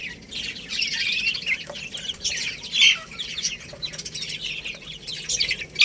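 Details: Baby hens at a meal of rice, giving steady high, thin peeps in overlapping clusters, rising and falling in loudness, with a few soft taps.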